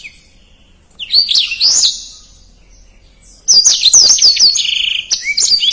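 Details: Blackthroat song in fast, dense style: a short burst of high twittering, a quiet spell, then a longer run of rapid whistled slurs and chatter.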